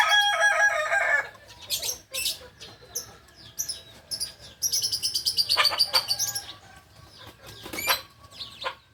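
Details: Singing chicken of the kukuak balenggek breed, Solok, West Sumatra, opens with a rich stepped crow lasting about a second, followed by sharp clicks, wing flaps and a high chirping patter from smaller birds in the background.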